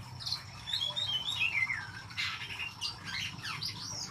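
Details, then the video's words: Kacer, or oriental magpie-robin, in full gacor song. Sliding whistles drop in pitch and are mixed with harsher scratchy notes. The bird delivers a rapid, varied medley over faint low background noise. "KACER GACOR"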